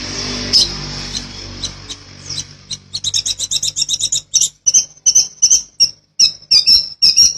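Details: Long-tailed shrike master recording used to train cage birds: high thin whistled notes, then a fast run of rapid chattering pulses that slows into evenly spaced sharp high chips, about three per second, with a low hum early on.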